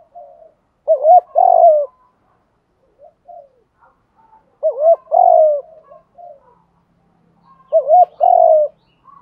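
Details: Coo phrases of spotted doves, male and female, used to rouse caged decoy birds; each phrase is a quick wobbling double note and a drawn-out descending coo, repeated roughly every three and a half seconds, faint murmurs in the gaps.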